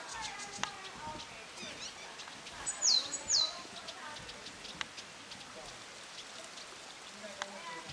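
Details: Taiwan yuhina at Lalashan giving a pair of thin, high descending whistles about half a second apart, amid faint chirps of other birds and soft background hiss.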